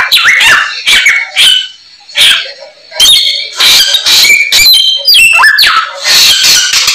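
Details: White-rumped shama singing its full set of fill-in phrases in spaced bursts, loud whistled sweeps and chatters separated by short pauses.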